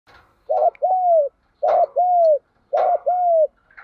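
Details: Spotted doves, male and female, cooing to stimulate trained doves to respond: low hollow two-part coos, a short wavering note then a longer level one, repeated about every second with brief gaps.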